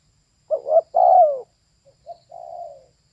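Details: One phrase from a female spotted dove: a quick doubled note, then a long coo sliding downward, followed by a faint short note and a soft, level, fading coo. No background noise.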